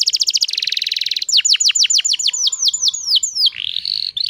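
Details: Canary hen in breeding condition singing to provoke males: quick falling notes and a buzzy roll, then evenly repeated deep downward sweeps, ending in a smooth low whistle.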